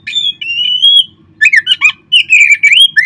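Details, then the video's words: Oriental magpie-robin song for stirring kept birds to sing: a sustained level whistle, a short pause, then lively runs of rising and falling whistles mixed with rapid chattering notes. "perangsang terb4ik jadikan Kacer Anda nge-play gacor seketika."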